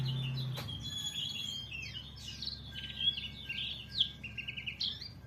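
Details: Rapid twittering white-eye song of high slurred chirps and trills, with a steady low hum and a brief sharp click at the start.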